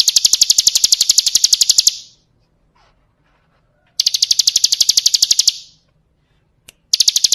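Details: Bar-winged prinia's 'kristal' song, full variation, for tutoring cage birds: bursts of rapid, piercing, high rattled notes, about two seconds each, broken by pauses, with a single sharp click in between.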